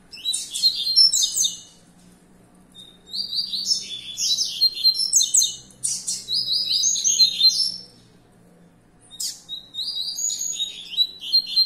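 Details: Young captive-bred double-collared seedeater raised for song competition sings bright, fast, twittering phrases of high notes in one-to-three-second bursts with short pauses, over a faint low indoor hum.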